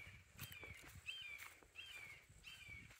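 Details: Red-shouldered hawks dueling at Little Big Econ State Forest, Geneva, Florida: four fairly faint, down-slurred screaming notes, evenly spaced, over soft footsteps and trail noise.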